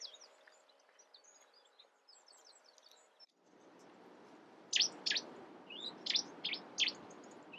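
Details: Cetti's warbler in the UK: after faint, scattered high chips over a steady background hiss, a loud burst of sharp, explosive high notes rings out, about six strident phrases within two seconds.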